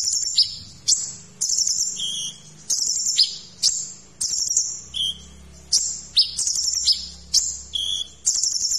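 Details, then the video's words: Song of the kolibri ninja sunbird, recorded as training material for magpie-robins: repeated high, piercing chip-and-trill phrases roughly twice per second, some sliding downward, over a soft low background drone. "Masteran Kolibri Ninja Isian Mewah"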